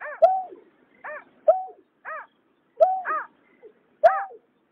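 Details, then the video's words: Greater painted-snipe calls, male and female, from 2021 trapping-lure audio: short nasal notes with a bright, bending tone, repeated in pairs about every 1.3 seconds on a silent background, with sharp clicks between some notes. "Tiếng nhát hoa, cà cuốc trống mái"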